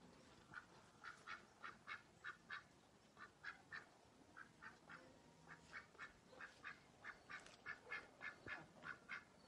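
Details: Repeated nasal duck quacks in irregular runs over nearly ten seconds, some calls overlapping as if from several birds, with low rumbling background noise.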